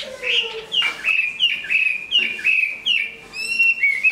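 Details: Large Chinese hwamei completing its new plumage, a good singer and fighter, repeats loud whistled phrases that start with a sharp note and slide into a level warble, about every 0.7 seconds.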